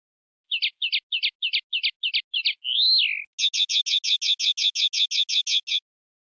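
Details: Field-style song of the common linnet, recorded for teaching young birds: a row of seven brisk chipping notes, one long looping whistle, then a fast steady trill of bright repeated notes, no other sounds.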